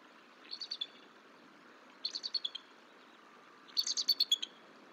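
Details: Bald eagle at the nest while the mother feeds a one-month-old eaglet. Three bursts of rapid, high, chittering notes, five to seven in each burst, come about one and a half seconds apart over a soft background hiss.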